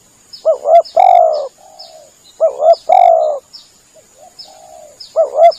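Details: Spotted dove hunting lure cooing. Loud phrases of a quick double coo then a long mellow note, answered by softer, farther coos, with brief high chirps from other birds.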